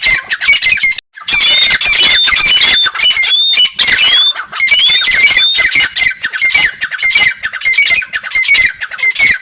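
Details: Partridge (teetar) calling in a dense, harsh, rapidly repeated chatter of raspy squawks with short whistled notes mixed in, nearly continuous after a brief pause at one second.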